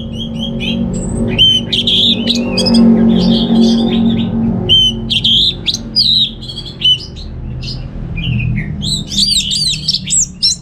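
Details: Anis merah, the orange-headed thrush, sings at home in North Bali, Singaraja, as a training lure: a long rambling run of rich warbled whistles and chattering notes, with a brief pause midway, over a low droning background.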